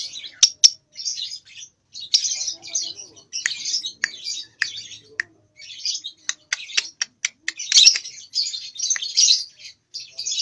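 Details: Lovebird only about two months old learning ngekek in nyeklek manner; scattered short bursts of high, raspy chirps with gaps between, a few sharp clicks, grows busier toward the end.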